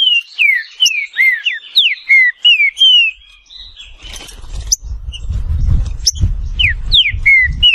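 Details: Green-winged saltator, a bird found in Brazil and neighbouring countries, singing a series of clear downslurred whistles. Later a low rumbling noise rises beneath a few more whistled notes.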